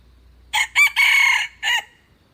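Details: Red junglefowl crowing: a loud four-part crow lasting about a second and a half, two short opening notes, a long held middle note and a brief separate closing note, against a quiet low hum.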